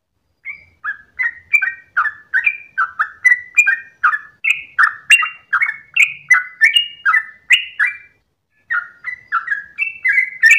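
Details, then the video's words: Trucukan (Yellow-vented bulbul) at dawn, singing long ropel phrases: lively bubbling whistles repeated about three per second, a short break near the end, then the run resumes. "ROPELAN TRUCUKAN Terbaik subuh pagi hari"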